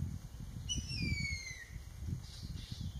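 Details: Jerdon's baza fledgling, newly out of the nest in Kaeng Krachan National Park, Thailand, July 2021, giving one drawn-out, clean descending whistle lasting about a second over low rumbling ambient noise.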